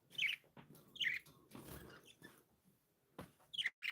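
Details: Pet budgies chirping happily, short bright chirps in bursts about a second apart with quiet gaps and faint rustling between.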